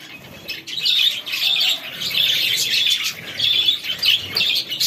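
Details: Chicks peeping continuously while feeding, many thin high calls overlapping in a dense chorus, with faint rustling beneath.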